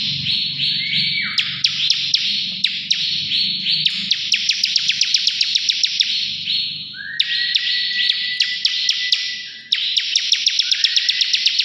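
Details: A bar-winged prinia, recorded as a lure to prompt other birds to sing, gives long, dense, cicada-like buzzing trills, broken by sharp ticks and a few steady, slightly falling whistled notes.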